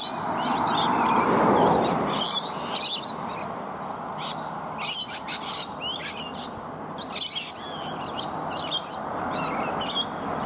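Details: Many rainbow lorikeets feeding on native bottlebrush flowers high in a tree, with one other bird present; harsh, screechy high calls overlap in irregular bursts from several birds throughout, over a steady low rumbling background noise.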